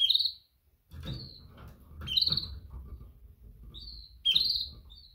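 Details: Repeated mating chirps from a female canary calling males: bright high tweets roughly every two seconds with faint follow-up notes, over steady low background noise.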